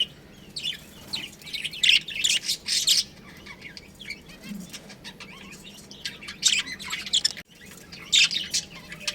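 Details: Budgerigars in a colony with a breeding pair, scattered groups of high chirps and chatter with quieter stretches between bursts.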